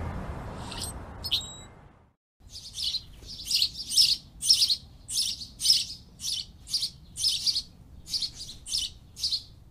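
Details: Birds singing in a forest; after a couple of thin whistles, a run of high, buzzy chirping bursts repeats about twice a second, fairly evenly, over faint low background noise.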